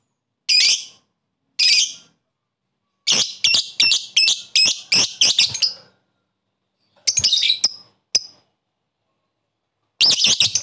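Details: Lovebird calling a rival to rouse other lovebirds: harsh high squawks, a quick run of six sharp shrieks, scattered chirps, then another harsh burst, in an otherwise quiet setting.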